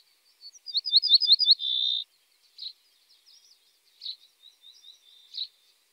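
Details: Common starling singing: soft opening notes build into a rapid run of high slurred chevron-shaped whistles, then a steady sustained tone, then scattered quiet twitters and brief chirps.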